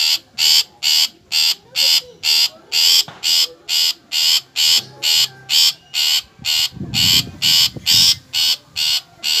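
A long-tailed shrike gives harsh, rasping notes about twice a second in a steady, insistent series, with a brief low rumble partway through.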